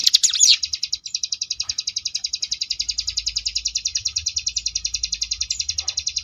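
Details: A short swooping flourish opens this ngebrem variation song of the Sunda bush warbler (ciblek gunung), kept for tutoring contest birds, followed by a long steady buzzy trill of quick pulses, about three to four per second.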